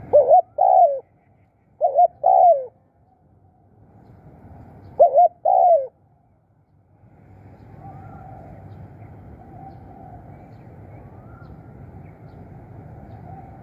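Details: Caged spotted dove used as a caller to attract wild doves, repeating paired mellow coos three times, each pair a short note and a longer wavering one, then steady rumbling background with faint high chirps.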